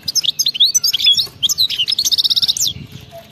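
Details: European goldfinch, wild-type singer, delivers rapid btebta song: jumbled sweet twittering notes followed by an even, rattling run of about ten quick repeated buzzy notes, then silence.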